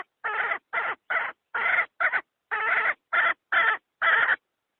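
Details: Hen used to lure wild chickens into traps, giving nine spaced, rasping cluck notes at roughly half-second intervals, each slightly drawn out and nasal, against a clean silent background.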